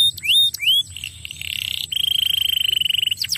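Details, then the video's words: Canary lure song to get a quiet canary singing again: a few swooping whistles, then mechanical buzzy rolls and a long even rattling trill held on one high pitch, ending in sweeping notes. "pancing kenari ngetem jadi gacor lagi"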